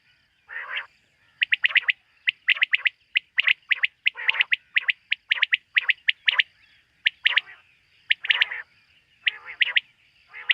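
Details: Night calls of quail, a bird hunted locally: rapid runs of short, bright notes with a few harsher rasping calls mixed in, packed closely and continuing without a long pause.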